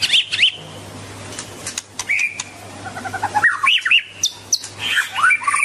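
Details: White-rumped shama song with rich looping whistles separated by pauses, a soft stuttering series in between, ending in a tumbling run of mixed whistled notes.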